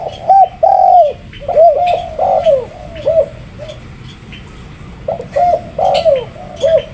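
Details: Spotted dove cooing in quick groups of low, curved notes. A longer lull falls in the middle before a louder burst near the end. Faint chirps sound in the background.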